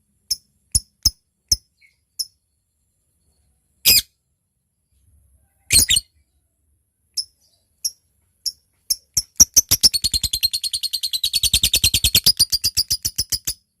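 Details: Lovebird ticking (ngetik) before a long chatter (ngekek) while calling a rival: widely spaced single sharp ticks and two brief rasping bursts, then the notes quicken into a dense, fast high chatter near the end.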